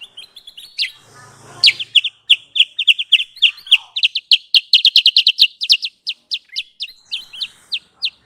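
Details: Sooty-headed bulbul trapping lure: a long, dense string of piercing, downslurred chips repeated about three times a second, speeding up midway. A brief low buzzy noise occurs near the start.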